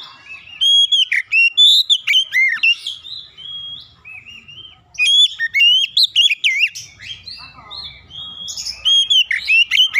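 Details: Lure song of an Oriental magpie-robin meant to make silent magpie-robins sing along: long runs of loud, clear whistled and warbled phrases in bursts, separated by short softer gaps, with faint low hum.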